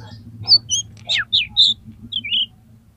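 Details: Aroused, fighting oriental magpie-robin singing to provoke other birds: six or so short sweet whistled notes and a falling slur, spaced a few tenths of a second apart, over a low background hum.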